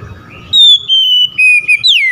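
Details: Oriental magpie-robin calling out to rivals: four clean whistled notes, a long level whistle, a lower flat note, then a sharp downward slur, after a brief low rumble.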